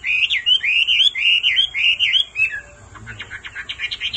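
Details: Male hwamei singing in reply to a calling female: a run of looping, wavering whistled notes for about two seconds, then a brief pause and a rapid burst of sharp, clipped chattering notes.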